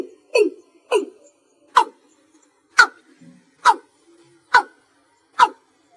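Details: Cúm núm, the watercock, calling after dark in the slow gà thúc chậm manner: two quick deep resonant notes, then five sharper, higher knocks spaced nearly a second apart in a quiet background.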